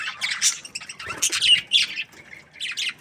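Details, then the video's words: Happy budgerigar chirping in short bursts of scratchy, high warbles and squeaky notes, separated by brief quiet gaps, with a thin whistled tone near the middle. "Happy budgie chirping sounds"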